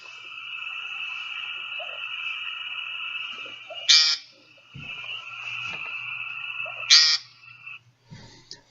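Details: American Woodcock ground song near dusk: two harsh, buzzy nasal peents about three seconds apart, each led by a soft hiccup as the close bird draws in air, over a steady high droning hum.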